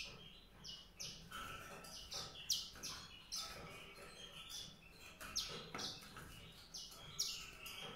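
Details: White-rumped seedeater singing a rapid string of short, high chirps and trills, notes jumping between pitches with brief pauses, over a faint low hiss.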